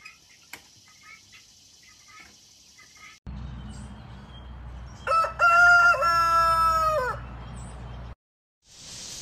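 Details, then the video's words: One long rooster crow, a few short rising notes leading into a sustained, slightly falling cry lasting about two seconds, over a steady low background hum. "Rooster Crowing Compilation 2023 || Natural Rooster Crowing Sound Effects"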